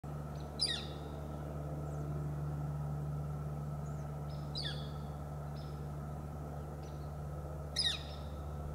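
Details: Juvenile Northern Flicker on a Bishop Pine in S F B Morse Botanical Reserve, California, responding to a Hairy Woodpecker, gives three sharp, high, downslurred calls several seconds apart, faint softer notes between, over a steady low hum.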